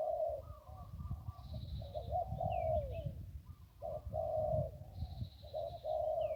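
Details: Zebra Dove near the Ping River, Thailand, during decoy trapping, gives soft, rapid staccato cooing in bursts of trilled, bubbling notes, with a thin high whistle from another bird and low rumbling background.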